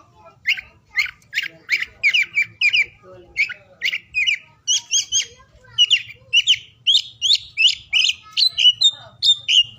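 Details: Oriental magpie-robin singing, meant to prompt mute or lazy birds into song; a rhythmic series of bright, sharp whistled notes about twice per second, clean with faint low hum.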